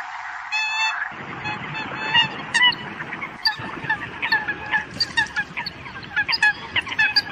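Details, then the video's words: Eurasian coots calling to the flock: a dense chorus of short, nasal, honking notes from several birds, overlapping and repeated in quick bursts throughout, with a steady background hiss. "Tiếng sâm cầm gọi đàn"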